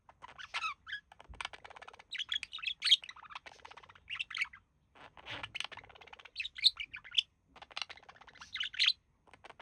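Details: Male budgerigar, one of a relaxing pair, mimicking human speech: bursts of dense, scratchy warbling chatter with quick squeaky chirps and clicks, coming in short phrases separated by brief pauses.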